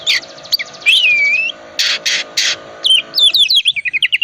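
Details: Oriental magpie-robin lure song: a swooping whistle, three harsh hissing bursts, then a fast accelerating chain of sharp descending chips, with a steady low hum in the background.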